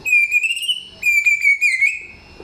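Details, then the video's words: Samyong singing long, pure, steady whistles, loud and clear. Two drawn-out tones are each held about a second, with slight wavers and short flourishes breaking in. "Inilah real samyong 1001 suara... Suara kencang, jernih, materi 1 hutan"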